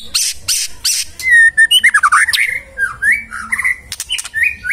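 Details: Caged magpie-robin in full, lively song used to provoke other birds into answering: harsh rasping bursts at first, then a rapid run of varied whistled notes, slurred rising and falling phrases and short chattering trills.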